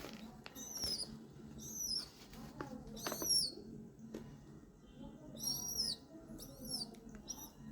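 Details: A hungry pigeon chick begs as a parent is urged to feed it: high, bent whistling squeaks in groups of two or three, spaced irregularly, with a woman speaking softly in Bengali in between.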